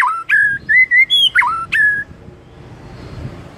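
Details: Morning song of a white-rumped shama, meant to make a quiet bird start singing loudly: a quick run of rich whistles, dipping, then flat and rising, lasting two seconds before fading into a soft background murmur.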